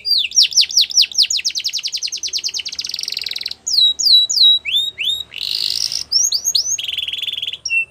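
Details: Canary singing to stimulate other canaries to sing along: fast repeated high downslurred chirps, then buzzy trills, sweeping whistles and rolled phrases in rapid varied succession.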